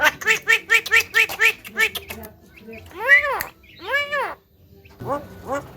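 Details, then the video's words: Javan myna known for talking gives a rhythmic row of nasal, harmonic, speech-like syllables, then two long arched wailing calls and a final softer one, with quiet pauses between. "BURUNG JALAK KEBO BISA BICARA SANGAT BAGUS DAN PINTAR"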